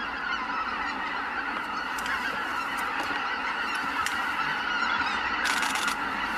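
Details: A greater white-fronted goose flock leaving the roost, many rapid honks overlapping into a constant clamour, with brief rushing noises and one longer burst toward the end.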